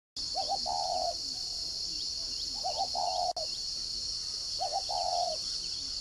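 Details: Spotted dove used as a caged decoy, "giọng còi" voice style, from a dove farm in Ba Vì, Hanoi, northern Vietnam: three low cooing phrases, each a quick stuttered double note then a longer held coo, about two seconds apart, over steady shrill insect buzzing.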